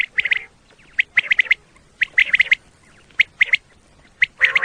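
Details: Common quail calls used for quail hunting in Pakistan: bright three-note phrases, quick and clipped, repeated about once a second, with other brief bird calls between them.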